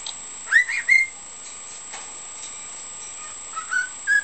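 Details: Caged pet cockatiel giving pieces of learned melodies and words, such as a children's song, "hokekyo" and "Bibbidi-Bobbidi-Boo". Two loud rising whistles open, then quiet, then softer, then stronger whistled notes near the end.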